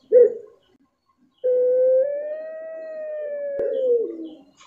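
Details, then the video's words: A puter pelung dove gives a brief hoarse note, then, after a pause, a sustained mellow coo lasting nearly three seconds that swells slightly and drops at the close. "9 Puter Pelung, suara dan karakter berbeda"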